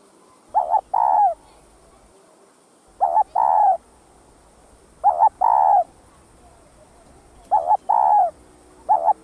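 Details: Spotted dove cooing to stimulate doves into calling. A double note joins a thicker, longer falling coo, and the pair repeats about every two and a half seconds, four times, over steady low background noise.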